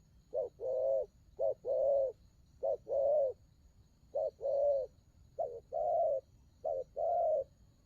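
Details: Spotted dove cooing, đồng gù rước style: evenly spaced pairs of low notes, a quick clipped hoot leading into a fuller, longer one, in two short bursts separated by a brief gap.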